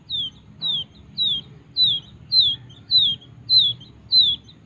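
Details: Young wild quail chick being hand-reared from small, Kediri. High thin downslurred peeps repeated steadily, about eight in under five seconds, over a low background hum.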